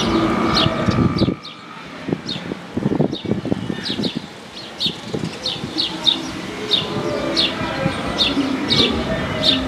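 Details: Urban house sparrows calling in Paramirim's streets. Loud noise drops away after the first second, leaving scattered low thumps and a stream of high, sharp chirps about one or two per second.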